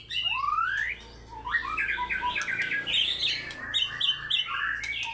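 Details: Lively White-rumped shama in fighter style pouring out its repertoire: a rising whistled sweep, then dense jumbled chattering and trilled phrases that keep changing.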